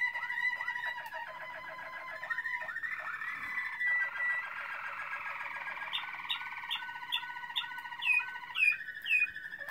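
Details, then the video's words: Waterslager (Malinois) canary singing, recorded in 2016: continuous rolling trills and bubbling water-like tours between low and mid pitch, with rising whistled slides and short clucking notes near the end; no other sounds. "Malinois Waterslager"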